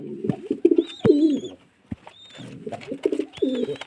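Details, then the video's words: Short, gruff, pulsed coos from pigeons in two clusters, broken by a brief silence, with a clear high whistled note above each cluster. "Pigeon sound"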